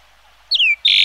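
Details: One clear falling whistle from a yellow-billed grosbeak, followed at once by a harsh buzzy note.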